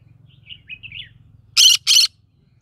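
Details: Green-cheeked conure living in the middle of a rice field gives two loud, harsh, broadband screeches in quick succession, preceded by a few soft, thin chirps over a low steady background hum.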